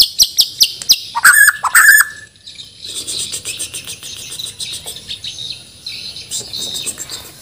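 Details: A white-rumped shama from Banjar, Borneo, kept caged for song contests, opens with dry clicks, then gives loud harsh notes. These fade into soft, distant, jumbled chattering.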